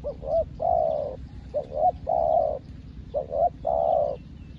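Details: A new decoy spotted dove calls out to wild doves like an experienced lure bird; three loud coo phrases about a second and a half apart, each two short notes then a long even note, with low background rumble.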